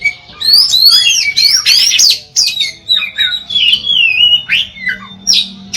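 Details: Singing oriental magpie-robin, played to prompt other magpie-robins to sing: a dense flow of rising whistles, raspy bursts and wavering slurred phrases, several notes each second, with a faint low hum beneath.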